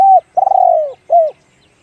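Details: Deep cooing from a spotted dove of the one-kook, big-voiced style: a level coo, then a long pulsing coo that slowly sinks in pitch, and one shorter arched coo to finish. The background is quiet.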